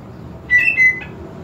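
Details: Greater green leafbird, linked to raising excitement and breeding drive, giving two short, clear, level whistled notes in quick succession, followed by a faint third note, over a quiet background hum.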